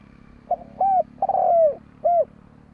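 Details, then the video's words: Spotted dove giving one four-part coo: a brief note, a smooth arched coo, a long burry falling coo and a short closing coo, with a low steady hum underneath. "Chim cu gáy gọi hay mới nhất"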